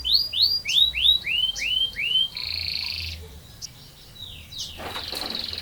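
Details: Canary in long rolling song: a series of arched, swooping notes, a short buzzy held trill, then quieter whistles and a noisy burst near the end.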